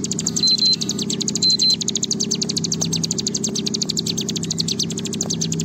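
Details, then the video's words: Bar-winged prinia in long rattling 'ngebren' song, used as a lure to prompt other birds to sing: rapid, high, dry notes repeated steadily throughout, with a few brief thin electronic-like whistles and a constant low hum underneath. "Ciblek Gunung Gacor Ngebren Panjang"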